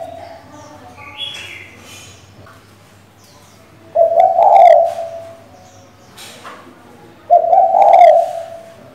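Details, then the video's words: A female spotted dove calls to the male to stir a decoy bird. After a quiet start with a faint higher chirp, two low, throaty coo phrases come about three seconds apart. "Cu gái mái gáy, gù, thúc,... kích bổi cực hay"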